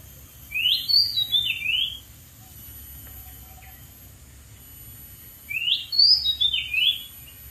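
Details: Oriental magpie-robin in the wild, perched on a dead tree, giving two separate bursts of bright, rising-and-falling whistled notes about five seconds apart, with quiet pauses and a low background hum.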